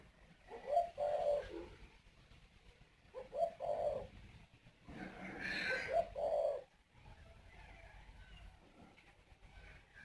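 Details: Male Spotted Dove at a breeding aviary in Ba Vì, Hanoi, northern Vietnam, going up to the nest and cooing to urge the female to lay her next clutch: three low, hollow coo phrases of two or three notes each, separated by quiet gaps.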